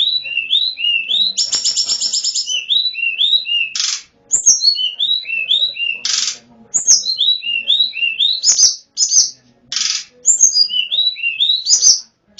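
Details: Tledekan gunung, the Sunda Robin, singing in a recording meant to draw wild birds; lively strings of short whistled slurs, regular trilled bursts and loud harsh buzzes keep repeating throughout.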